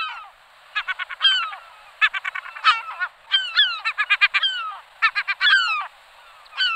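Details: European Herring Gull (Larus argentatus) giving harsh, nasal calls in several bursts: quick runs of short yelping notes mixed with longer drawn-out, falling wails.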